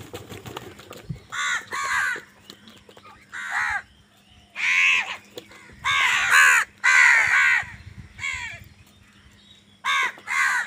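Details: Crows fighting over food give loud, harsh caws in uneven bursts, about two a second at times, with short quiet gaps between volleys.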